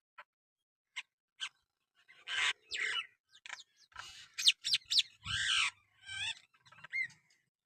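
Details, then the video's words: Talking myna producing a jumble of mimicked sounds: scattered clicks, then harsh buzzy bursts, sharp high squeaks and a rising-falling whistled sweep, with a final short warbled whistle, in quiet surroundings. "Talking Myna Bird"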